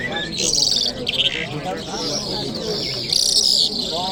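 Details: Lark known as jal mashhadi, Kabul, Friday morning: two high buzzy, hissing song bursts separated by a quieter gap with low background warbling.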